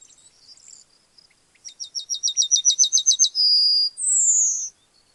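A Yellowhammer sings a fast run of about a dozen thin, high, repeated notes, then a sustained note and a long, slightly falling wheeze.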